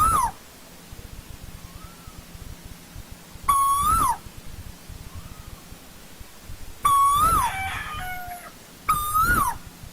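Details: Asian koel in old forest repeating loud whistled calls about every three seconds, each steady then rising and dropping off, with soft distant answers between calls and a faint low hum.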